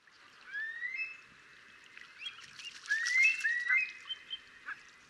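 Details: Eurasian curlew, a wader filmed from a distance on a compact Sony Cybershot camera, giving overlapping rising whistled notes that swell into a bubbling run, with other bird chatter and clicks in the background.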